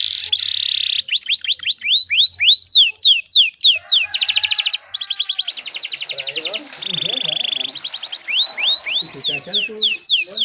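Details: Canary lure song for stimulating other canaries: fast whistled sweeps and buzzy trill tours, interrupted midway by lower warbling sounds and a faint background hum.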